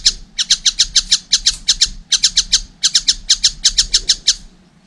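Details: Juvenile collared kingfisher calling in two bursts of loud, harsh, evenly spaced chattering notes with a short break between them; faint hum behind.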